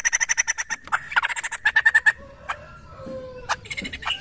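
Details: Poksay (laughingthrush) calling, played as a lure to draw replies: a quick series of evenly spaced sharp repeated notes, then quieter scattered calls and clicks toward the end.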